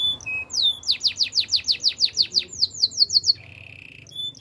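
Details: Song of a Spanish Timbrado canary, used for training: a rhythmic run of about fifteen loud downward-sweeping notes, then a quicker high series and a soft steady buzzing tone at the end.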